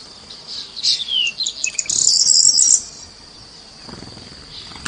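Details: Small birds chirping: a burst of high, thin twittering and rapid squeaky notes fills the first three seconds, then fades, leaving a steady high hiss with one faint late chirp.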